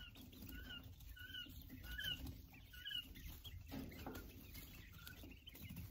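Quail giving short, sharp chirped notes, repeated roughly once a second at a mid-high pitch, over steady low rumbling and pattering noise.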